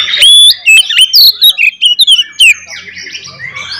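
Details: Oriental magpie-robin in loud fighting song used to provoke other magpie-robins: a rapid burst of pure whistled notes, sharp upslurs and clipped chips over about two and a half seconds, then a softer warbling tail.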